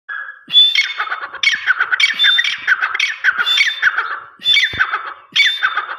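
Grey partridge giving loud, harsh, grating notes with a few thin whistled overtones, repeated in quick bursts about once a second.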